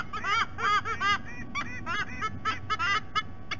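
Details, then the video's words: Pair of adult White-bellied sea eagles at a nest in Sydney Olympic Park, Australia, recorded on a nest camera: clustered barking honks with harsh overtones, bursts of two to four notes, fading near the end over steady low noise. "WBSE - Adults vocalizing"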